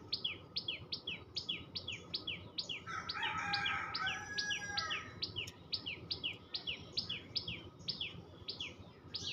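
Tailorbird chirping: sharp, high, downslurred notes repeated rapidly, about two per second, with a brief burst of lower chatter partway through.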